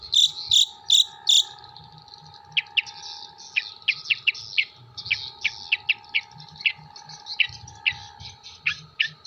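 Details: Long-tailed shrike from Jember singing, its song loaded with kuntilanak, sparrow and tengkek buto imitations. Four loud shrill notes open, then quick sharp downslurred ticks scatter irregularly over a faint background hum.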